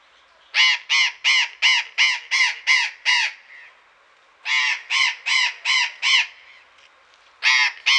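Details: In a Pelhřimov garden on a February 2018 afternoon, burrowing parrots give bursts of harsh, rasping screeches: eight in a row, a pause, five more, then another pair, all loud and evenly spaced.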